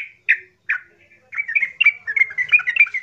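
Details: Loud, rough gacor song of a yellow-vented bulbul (trucukan), played to provoke other bulbuls into answering; two sharp opening notes, then a fast chattering run of bubbly, warbled phrases.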